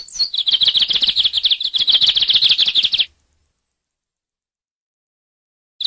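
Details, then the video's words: Lined seedeater giving a three-second run of rapid, high, buzzy repeated notes, followed by silence and the first note of a new phrase at the very end. "Canto do bigodinho"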